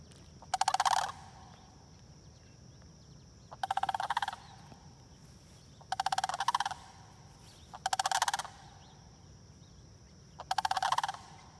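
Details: Sandhill cranes beside a retention pond in Marion-Dunn Prairie calling: five harsh, trilled, rattling bursts, each about half a second of rapid pulses, repeated roughly every two to three seconds against a constant thin high hum.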